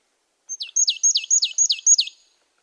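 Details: Marsh tit giving a quick run of six or seven sharp, high notes, each sliding steeply downward, packed into about one and a half seconds against a silent background.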